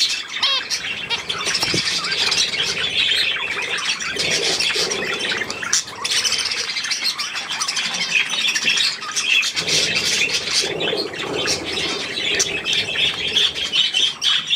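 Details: Young budgerigars with millet, recorded 3 May 2024: dense, continuous high chattering and squeaky warbling from several birds, with brief lower squawks around four to five seconds and again near eleven seconds.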